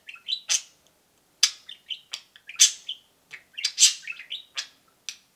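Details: Pet budgies, a pair kept in cages indoors, cheeping with loud sharp high chirps mixed with short warbled twitters in quick irregular bursts.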